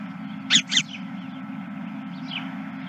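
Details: Geese heard at a ranch on the night of 31 March 2023, about 21:26; a quick pair of loud, rasping honks, then softer distant calls from the flock, all over a continuous low droning hum.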